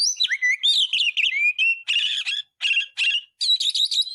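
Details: Oriental magpie-robin, a kept songbird recorded to train other birds: a tumbling phrase of sweet slurred whistles, then short scratchy buzzy bursts repeated with brief gaps, closing on a rattling whistle.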